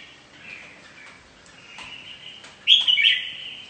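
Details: Mutant red-whiskered bulbul singing competitively: faint, wavering warbled notes at first, then a sudden loud, bright burst of rich whistled phrases near the end.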